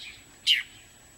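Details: A single sharp, high chip from a bird believed to be a dark-eyed junco at a deck feeder after a night's snowfall, a quick downward-slurred note over a faint background hiss.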